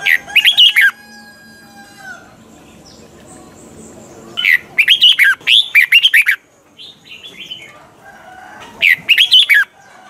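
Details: Caged red-whiskered bulbul giving a mature wild-style double-note song used for training other birds: three bursts of rich, tumbling whistled notes, each about a second long, separated by pauses with faint softer notes and low hum.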